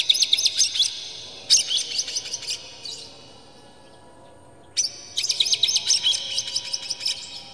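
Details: Excited oriental magpie-robin with tail spread, singing a rich song used to provoke rival magpie-robins. Quick strings of piercing, scratchy high notes pour out in long bursts, broken by a short near-silent gap before another dense outburst.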